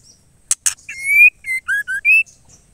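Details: Female white-rumped shama calling to a male: two sharp clicks, then a clear rising whistle followed by three short whistled notes, falling then rising, and a final level whistle.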